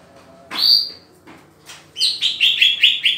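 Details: Green leafbird during pairing. A loud slurred rising whistle opens, then soft chips, then a run of bright, rapidly repeated whistled notes with a warbling quality.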